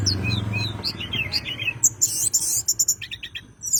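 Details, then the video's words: Bar-winged prinia in a fighting mood, looking for an opponent, used to prompt white-rumped shamas to sing: quick high chirped notes, then a loud harsh buzzy trill and a run of short sharp repeated notes, with a low rumbling hum behind. "Tledekan gunung gacor, nyengklek nyari lawan, cocok buat pancingan burung kacer"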